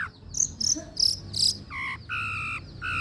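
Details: Long-tailed shrike song used as training material to coax reluctant birds into singing: scratchy high chirps, then three steady harmonic whistled notes, each held about a third of a second, over a low background hum.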